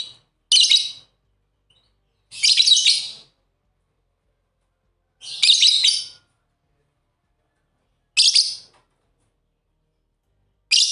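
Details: Pet lovebird pair at play, uttering separate bursts of shrill, grating chirps roughly every two to three seconds, with silence between calls.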